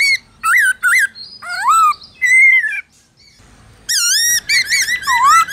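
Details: Black-throated laughingthrush in forest-style song, used to coach captive birds: short loud whistled notes and slurred phrases, a quiet moment, then bright ringing notes with rapid trills.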